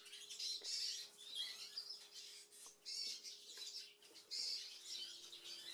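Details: Recently acquired captive Siberian goldfinches, just finished moulting, twitter in quick, bright bursts of high, tinkling notes every second or so, over a steady low electrical hum.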